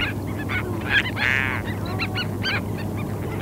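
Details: Terns at a sandspit in Murrell's Inlet, South Carolina, 8 April 2017, captured with a parabola: short, harsh calls from several birds, one longer drawn-out rasping call near the middle, and a steady low rumble behind.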